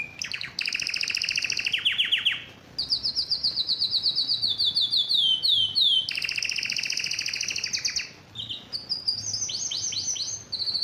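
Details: Excited canary in mating song, urging the female to mate; rapid high trills and rolling tours change every few seconds, with sweeping whistled notes and a short pause, over low background hum.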